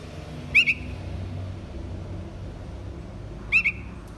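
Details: A young bulbul gives two short, sharp double-noted calls about three seconds apart, high and slightly squeaky, over a faint low hum.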